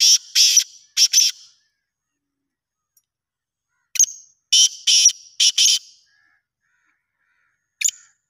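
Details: Black francolin, Pakistan, calling repeatedly: loud rasping bursts in pairs, then a full phrase of a sharp introductory note and four harsh buzzy notes, long quiet gaps between.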